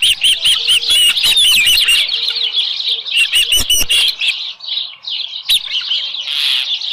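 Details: July 2018 morning at an osprey nest with a small live fish: loud, continuous high chirping slurs up and down, with some knocking sounds midway, then eases into softer whistled notes and a final buzzy burst.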